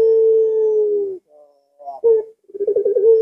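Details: A puter pelung dove recorded at midnight on a Thursday night. A long steady coo fades, then a soft murmur and a short sharp note follow. A new call starts with quick pulsed stutters that draw out into another held tone.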